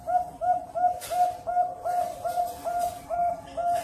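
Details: Zebra dove from a bird farm in Cirebon, Indonesia, singing a fast, even string of soft, rounded coo notes, each with a brief upturned lilt, about three per second throughout with little background.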